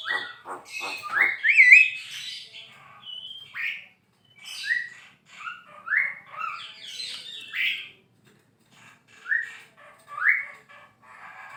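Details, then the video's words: Javan myna singing, its song used as training audio: scratchy rattles and a looping whistle give way to spaced upslurred whistled notes repeated every second or so. "JALAK KEBO GACOR MASTERAN BURUNG KICAU"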